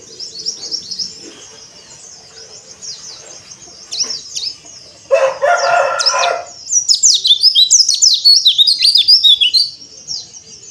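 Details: Oriental white-eye singing on a terrace: thin high twittering runs, then a brief harsh buzzy burst around the middle, followed by a fast, busy cascade of sharp chirps and trills.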